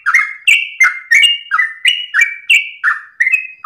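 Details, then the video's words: Sooty-headed bulbul singing at dawn in a long ropel-style song: bright, slurred chirping notes, each sliding up then down, delivered in rapid, steady succession about three per second without pause. "ROPELAN TRUCUKAN Terbaik subuh pagi hari"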